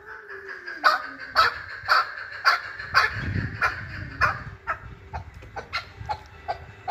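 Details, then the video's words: Chukar partridge in Kabodiyon, Tajikistan: loud clucking notes repeat about every half second, with low rumbling noise beneath and softer, faster notes trailing off at the end. "Кабки Кабодиён"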